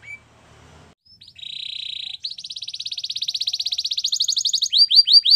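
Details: Singing canary delivering a steady buzzy trill, then an accelerating rolling series of pulsed notes climbing higher, ending in loud repeated downward-curving whistles.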